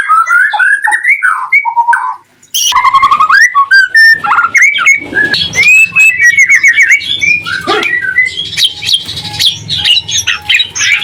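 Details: White-rumped shama song intended to provoke other shamas into answering: mellow rich whistles at first, a short silence, then a dense, fast mix of chips, trills and clear rising whistles over a faint low hum.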